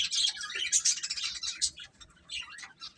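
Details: Chicks peeping as they eat, a busy flock of high, sharp chirps that crowd together at first, then thin into scattered, falling tweets.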